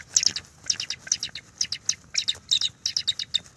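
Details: Bald eagle pair at the NCTC nest cam on a January 12, 2024 morning, calling while mating and restoring the nest: rapid series of sharp, high, squeaky piping notes in quick bursts, rising to shrill chatter, with a steady low background hum.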